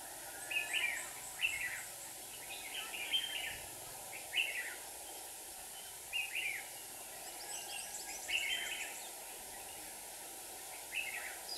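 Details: Red-whiskered bulbul decoys used in trapping a wild bird in Hòa Bình, Vietnam: clear, bubbly whistled phrases spaced a second or two apart over steady hiss, followed by a man speaking softly.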